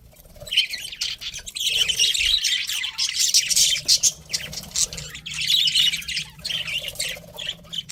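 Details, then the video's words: Kept budgerigars, a breeding pair, giving fast gritty twitters and squawks that swell in bursts, roughly three to four notes a second, with a low background hum. "cute budgies chirping sounds"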